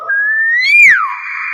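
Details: Loud, clear whistle from a common hill myna, slowly rising, peaking, then dropping sharply into a steady, slightly rough sustained tone, with people's voices in the background.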